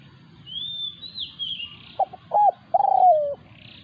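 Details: During a decoy-luring session a resident wild spotted dove challenges the decoy bird. It gives one coo phrase of two quick, abrupt notes and then a long, purring note that falls at the end. Earlier, other birds sing high, sweeping whistles.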